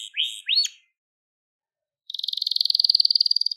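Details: A crested Gloster canary sings for young canaries to learn from: two swooping whistled notes, over a second of silence, then a steady, fast, high buzzing trill to the end.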